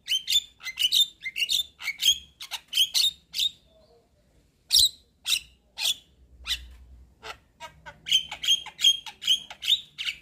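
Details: Chattering of a white-eyed Javan myna (jalak kebo), played to prompt a silent bird to sing: rapid bursts of harsh squawky notes in quick series, a pause of about a second midway, then another fast string of scratchy calls.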